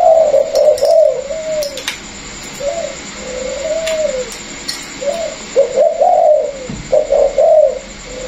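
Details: A caged Vietnamese spotted dove, paired with a former decoy bird and a newly trapped wild one, gives soft, low coos in uneven spurts, some notes swooping up then down, with light clicks and rustles between.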